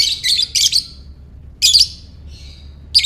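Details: Rapid ngekek chatter from a lovebird, used to draw responses from other lovebirds: three fast shrill bursts, a pause, another rasping burst, a faint thin whistle, then a final screech.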